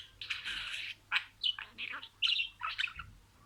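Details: Pet budgerigar imitating words: a long buzzy high phrase, then short clipped squeaky syllables and chattery notes in quick succession.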